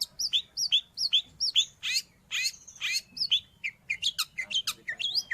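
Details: Long-tailed shrike song kept for training caged birds or luring wild ones: rapid high chattering notes, some with hooked rising-falling shapes, a mimicked thin whistle near the middle, delivered in a quick irregular stream.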